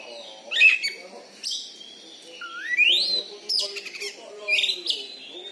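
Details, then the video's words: Oriental magpie-robin, a caged champion contest bird in Bengkulu, Indonesia, known for its loud volume; scattered sharp chirps, squawky notes and upward-sweeping whistles separated by pauses, with a faint low hum beneath. "BURUNG KACER JUARA DI BENGKULU"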